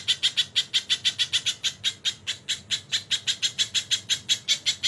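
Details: A tutor recording for training songbirds presents the crested jay with kingfisher fills: a rapid run of rasping, chattering notes, about six a second, kept up for five seconds with little change in pitch over a faint low hum.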